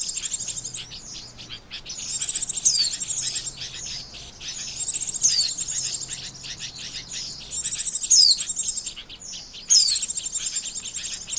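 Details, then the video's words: Trapping lure of an Oriental white-eye, with dense high chittering runs ending in bright falling whistles, delivered in groups separated by short pauses. "SUARA PIKAT BURUNG PLECI"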